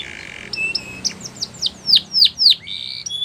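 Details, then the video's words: Canary song over background noise: a held tone, then a series of descending whistled sweeps growing louder, closing with a flat whistle. "Canary Singing Most Beautiful Song Bird"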